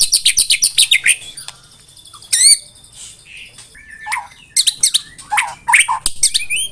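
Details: Tembakan rapat song of a white-rumped shama: a fast burst of high sharp notes, a loud upward sweep, then scattered clipped whistles and short slurred phrases separated by brief pauses.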